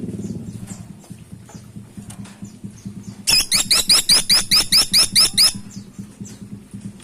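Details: Woodpecker, locally called caladi tikotok, gives a fast burst of about ten harsh, high, nasal notes in roughly two seconds, each note sliding slightly upward, over a steady low hum.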